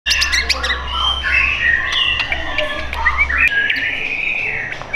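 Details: Caged white-rumped shama at a bird shop in Tangerang Selatan, Indonesia, singing a varied run of clear whistled phrases, some sliding and warbling, over a steady low electrical hum that stops partway through.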